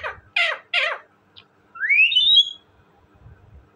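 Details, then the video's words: Talking parrot giving two harsh, rough squawks, a tiny chirp, then a smooth whistled call gliding upward and fading, with faint low knocks in the background. "talking parrot bird,parrot ki awazz"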